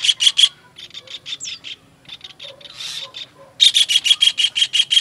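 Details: Kingfisher, in a master recording used to train songbirds: rapid runs of shrill, harsh notes about five a second, loud at the start and end with softer spaced notes between, plus a brief faint chirp.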